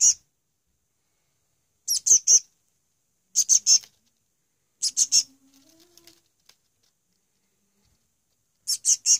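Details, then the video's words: Young chick begging while being hand-fed on its second day, early morning: bursts of three harsh, high raspy squeaks every one to two seconds, with a faint low hum between bursts. "Chirpie feeding"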